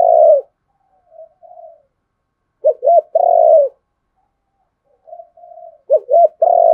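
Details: Spotted dove calls used to provoke wild doves into fighting, from male and female birds: low mellow coo phrases, with soft faint notes, two quick rising-falling hoots and one long sustained hoot, repeated about every three seconds.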